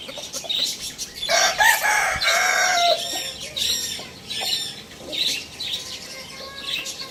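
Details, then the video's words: Lohmann Brown rooster crowing: a loud, rough, noisy crow of about two seconds, then short clucks and high chirping from nearby birds. "cute rooster crowing sound effect"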